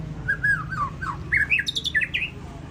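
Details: Contest-winning white-rumped shama singing a rapid phrase of whistled slurs that climb into sharper, higher chipping notes, with low room hum beneath.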